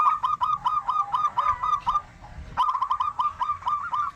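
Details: Local zebra dove singing as a lure for other doves: two phrases of quick, crisp cooing notes, about eight in the first and six in the second, even in pitch, with soft low noise behind.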